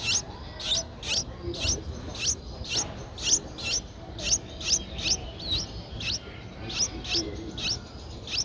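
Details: Streak-eared Bulbul nestlings aged nine days, Ubon Ratchathani, Thailand, 11 April 2023, giving a rhythmic series of scratchy, hissing high notes roughly every half second, some with a short squeaky upturn, over low rumbling background.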